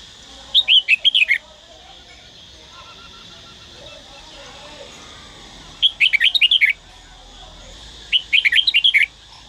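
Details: Red-whiskered bulbul song recorded in Dak Lak, Vietnam: three short bursts of rapid, chirpy whistled notes rising and falling, each burst about a second long, with quiet low hum between them.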